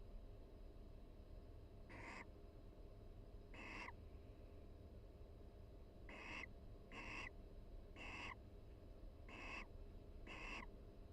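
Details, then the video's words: Barn owl pair calling softly inside a University of Florida nest box during the breeding season, a pair-bonding exchange with mutual preening: seven short hissy rasps spaced irregularly about a second apart over a low background hum. "Sweet Conversation: Barn Owl Pair Chats and Preens Inside the Nest"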